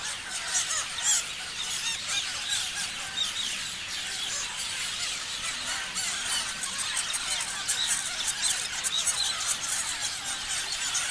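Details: Continuous twittering from many parrots, high chirps layered thickly, with short louder bursts of squeaks scattered across the stretch.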